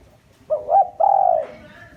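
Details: One cooing phrase of a lure spotted dove meant to provoke wild doves: a short double note followed by a long level coo that tails off. A faint higher sound is heard afterwards.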